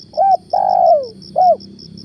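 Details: Lure spotted dove (tekukur) cooing in the morning: a clear coo, a long slurred descending coo and a final arched coo in quick succession, over faint pulsing insects.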